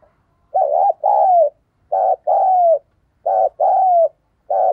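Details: Caged spotted dove decoy cooing in a steady series of paired notes, a short burred coo followed by a longer smooth falling coo, repeated about every one and a half seconds.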